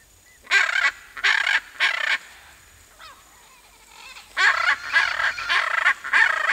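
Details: Hyacinth macaw in riparian forest searching for coconuts and seeds; loud, hoarse, rasping screeches, three in a row, a pause with a short thin call, then a rapid series of four more grating squawks.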